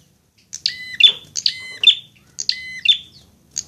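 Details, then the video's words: Prinia fighting song used as a tutor recording to train birds to sing readily: three bursts of sharp, stacked, metallic notes ending in a buzzy flourish, about one burst per second, in quiet surroundings. "masteran prenjak agar cepat gacor"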